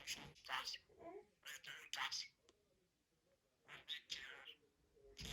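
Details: Budgerigar talking: whispery, speech-like bursts of high, hissy syllables in quick clusters, separated by short pauses, in a quiet indoor room.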